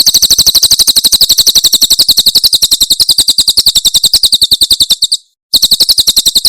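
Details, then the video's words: Javan prinia in the tembakan style from Cililin, a training recording for songbirds: a fast, even run of sharp, high chirps, about three to four each second, with a brief gap near the end before the chirping resumes. "Masteran Tembakan Cililin SUARA SUPER JERNIH"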